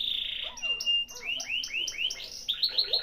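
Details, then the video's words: Canary singing, used to coax a reluctant canary into song: a varied run of high slurred whistles and quick rising sweeps, repeated in short bursts with fast trilled phrases. "Pancingan kenari malas bunyi"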